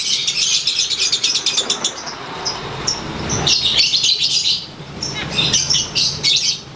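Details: Lovebird singing its ngekek while set out in the sun. A rapid, high rattling chatter runs for about two seconds, then breaks into uneven bursts of squeaky notes with short gaps between them.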